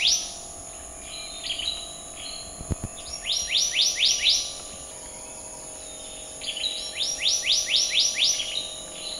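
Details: Black-naped monarch giving two phrases of rapid rising whistles, about five notes each, roughly four seconds apart, with softer notes between and a low steady hum behind.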